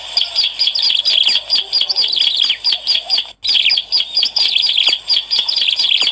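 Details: Bar-winged prinia song meant to attract birds, fast repeated high chirping notes in tight bursts, with one short pause midway, then the same lively chirping again.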